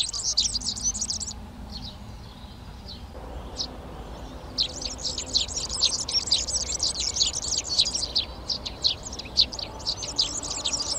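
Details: Eurasian tree sparrows in March take over three nest boxes in a Czech garden in Přerov. Bursts of rapid, high chirping are followed by a short quieter gap, then a long run of dense chirps mixed with other birdsong.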